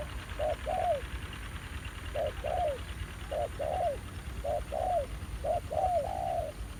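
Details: Wild spotted dove male responding keenly to a ground decoy at a trapping spot. Soft low coos come in paired bursts, a short note then a longer downslurred one, repeated roughly every second and a half, with a low background rumble.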